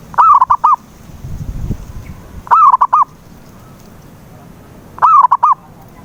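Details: Zebra dove song played to draw a silent dove into singing: three evenly spaced cooing phrases about two and a half seconds apart, each a long gliding coo and two or three short ones, with a brief low rumble.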